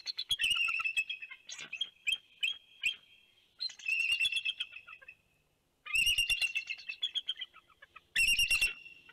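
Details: Two bald eagles at their Big Bear nest on 2 January 2019 calling in an uproar to warn off a large bird soaring past: loud, high, harsh chittering bursts of rapid notes in several separate bouts, with brief quiet gaps.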